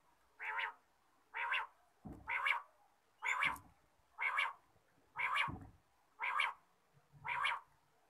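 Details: Quail calling in the morning: a steady run of eight rasping, nasal notes, about one per second, with occasional low knocks.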